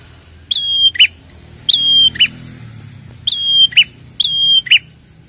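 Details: Calls of a red-headed prinia meant as a lure: four phrases, each a high flick sliding into an even whistle and ending in a rough buzz, spaced about a second apart over faint low background noise.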